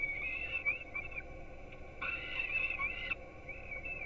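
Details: Peregrine chicks at a webcam nest in Gdynia, Poland, fed breakfast at 4:21 am: warbling whining calls, then a loud, rasping one-second cry, followed by softer wavering notes.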